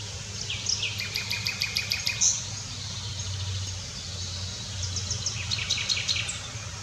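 A nightingale sings rich, varied phrases of rapid repeated notes, high whistles and quick trills, over a low steady rumble of background noise.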